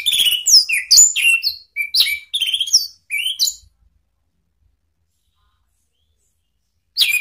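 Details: Orange-headed thrush used to provoke rivals, delivering a fast, varied phrase of clear whistled slurs and chirps, some rising, some dropping, for over three seconds before silence and one final sharp note.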